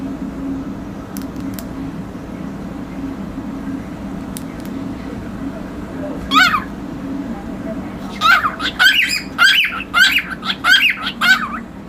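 A cockatiel gives a quick run of bright, scratchy chirps after one lone squeak, over a low indoor hum.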